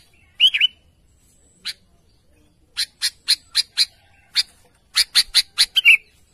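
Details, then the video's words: A sooty-headed bulbul calls out to its companions. A short bubbly warble opens, a lone chip follows, then runs of crisp, evenly spaced chips, ending in a last gurgled note. A thin high tone hums behind. "Burung Kutilang Gacor memanggil temanya"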